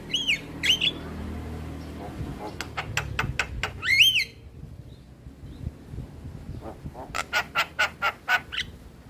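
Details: Male Javan myna singing: arched slurred whistles, then a fast series of sharp clicking notes, a quiet pause, and another run of rapid, evenly spaced clicks.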